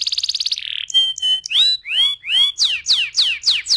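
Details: Canary in 'ngeroll' rolling song, a recording meant to coax other canaries into singing: a rapid high trill, then a few short flat whistles, then a series of loud arching notes sweeping up and down.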